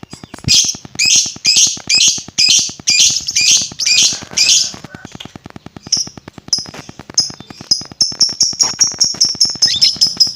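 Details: Lovebird vocalising as a lure to provoke other lovebirds: a string of rasping high notes gives way to thinner, rapid repeated chirps, over a faint steady ticking.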